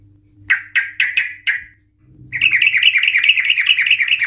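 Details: Lively yellow-vented bulbul (trucukan) song used to provoke other bulbuls into long rattling 'ropel' phrases. Five sharp, evenly spaced chirps are followed by a rapid, continuous, bubbling rattle.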